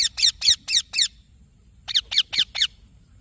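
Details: Baby green parrot calling with two runs of raspy, descending chirps, five notes, a short pause, then five more.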